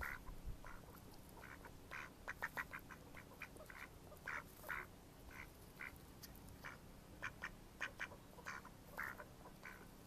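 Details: Mallards in May 2014 quacking steadily: short, raspy, nasal notes, sometimes doubled or tripled, spaced irregularly through the recording over a faint low hum.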